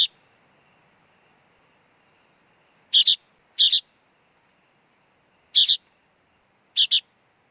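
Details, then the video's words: Sooty-headed bulbul chick giving short, harsh double-noted calls, four calls spaced irregularly over several seconds, with a faint steady high hum in the background. "Suara Anak Burung Kutilang Bayi Kutilang"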